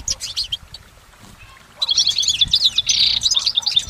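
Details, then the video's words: Goldfinch singing outdoors: a few scattered high chirps, a near-silent gap, then a burst of dense, rapid tinkling twitters and a brief buzzy note. "Exceptional recordings of the goldfinch in nature"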